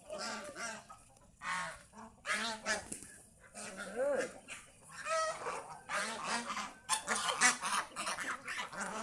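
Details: A group of owned geese roaming the fields by the house keeps up a noisy, near-continuous chorus of rasping honks, calls tumbling over one another in uneven bursts every second or so.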